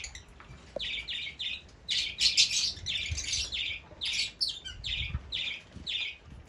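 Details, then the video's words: Fischer's lovebirds uttering sharp, high chirps in clusters, growing busier in the middle, then settling into evenly spaced notes. "طيور الفيشر"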